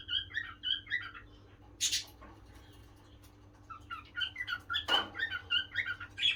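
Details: Male pet cockatiel indoors making rapid bursts of short chirping and warbling notes, pausing midway, then resuming a dense chatter, with two sharp broadband clicks or wing noises and a constant low electrical hum.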